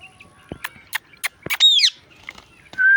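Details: Indian ringneck parrot giving a loud harmonic squawk that bends up and down, after a few clicks, ending in a sustained whistled note.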